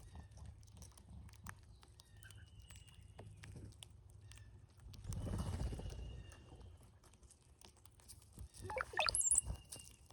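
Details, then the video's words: Cowbird at a feeder during migration, giving a brief gurgling burst near the end that rises into a thin, very high squeaky whistle, over low rumbling background and a rustle midway. "Love the funny sound cowbirds make!"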